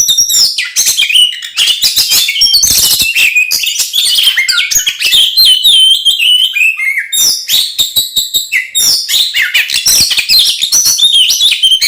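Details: Oriental magpie-robin in nonstop aggressive song used to incite other magpie-robins to fight; crowded, high scratchy chatter mixed with sweet whistles and rapid trills, unbroken throughout.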